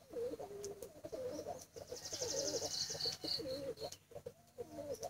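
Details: Pigeon chicks crying for food: short tonal calls repeated in quick, uneven succession, a brief run of high thin chirps in the middle, and faint background noise.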